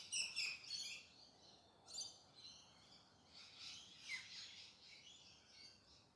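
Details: Galahs in urban Perth, Australia, calling in early morning: a close harsh screech at the start, then several quieter, more distant rasping calls overlapping one another.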